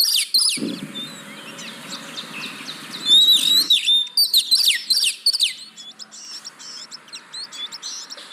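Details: Song of an oriental magpie-robin, used to lure caged birds that will not sing: sharp whistled slurs over a low hum, then a loud run of varied notes that fades into softer chatter.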